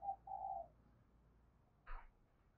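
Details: Spotted dove calling to stir up a decoy bird quickly: two low, smooth cooing notes in quick succession, the second longer, followed after a pause by one brief, sharp, broadband knock.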